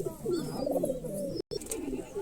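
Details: Low, warbling coos from a Girebaz pigeon bred from a 40-year-old line, a steady throaty rumble cut by a short silent gap, with faint high whistles overhead.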